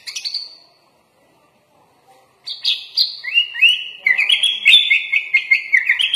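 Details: Kutilang (sooty-headed bulbul) in full-isian song with murai batu imitation: a short high note, two seconds of near silence, then buzzy and rapidly repeated whistled notes building into dense warbling.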